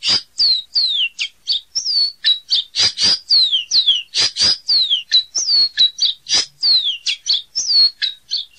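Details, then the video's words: Caboclinho delivering a sustained, rapid song of high sliding whistles and scratchy buzzes, repeated in a steady stream for over eight seconds. "Canto do Caboclinho"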